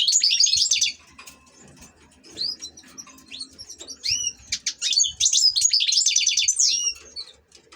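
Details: European goldfinch kept as an ornamental bird, singing: a quick burst of high liquid twittering, a short pause, then a long run of bright tinkling notes and upward-flicked chirps in fast, uneven phrases.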